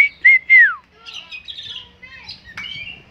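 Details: Tame Oriental magpie-robin, said to be good enough to become a champion, sings a quick whistled note and two longer ones, the last sliding steeply downward, then quieter varied warbles and a sharp, bright closing note.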